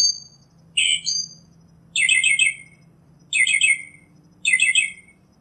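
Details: Northern mockingbird sings one rough-and-whistled phrase, then changes to a dense, buzzy, chattering phrase repeated three times about every second and a quarter. Background is quiet.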